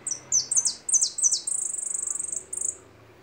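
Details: Goldfinch singing: a run of high, thin chirps sliding downward, then a quick buzzy trill of evenly spaced notes lasting about a second, ending in a few sharp twitters, over a quiet background.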